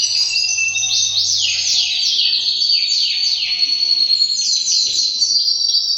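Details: Male canary, white and three years old, pouring out high, buzzy rolling trills made of repeated downward-slurred notes, steady and unbroken for six seconds.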